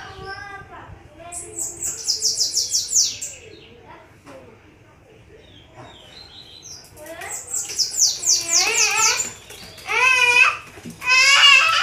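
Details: Several bananaquits singing high, rapid, buzzy trilled bursts and a few short chips, mixed with human voices talking close by, especially toward the end.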